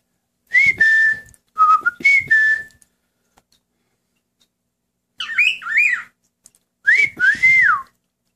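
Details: Pet male cockatiel singing along with its owner indoors; clear steady whistles are followed by warbling, rising and falling whistled phrases, with the person's whistling mixed in.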